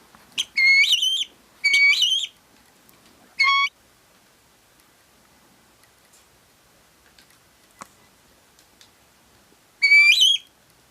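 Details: Helmeted guineafowl, kept birds that follow their owner, give loud, harsh, grating call bursts, repeated in short runs with pauses between.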